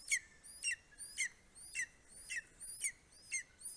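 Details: Greater spotted eagle in Estonia on 2 July 2020, 9:02 am; a male brings prey (voles, a bird) to his eaglet, four weeks old. Fast run of piercing, downslurred yelps with rising whistled overtones, about two per second.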